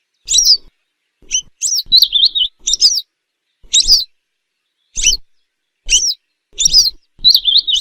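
A Western Yellow Wagtail gives thin, high, sweeping tsweep calls, some doubled or run into brief twitters, about once a second over a quiet background.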